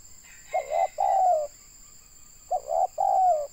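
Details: Spotted dove, local tekukur, recorded while trapping birds in Indonesia. Two mellow three-part coos two seconds apart, short-short-long, the last note sliding downward, with a steady electrical hum behind.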